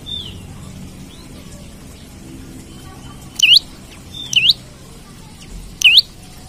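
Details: Olive-backed tailorbird heard for luring or training other birds: sharp swooping whistled notes repeated irregularly, three loud ones in the last half, with faint thinner calls earlier and low background noise.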